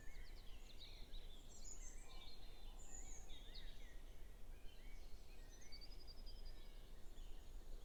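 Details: Dawn chorus building before sunrise on May Day in a Norfolk cottage back garden, recorded on a phone: several songbirds overlap in faint, high whistled and trilled phrases, with a steady low rumble of background noise.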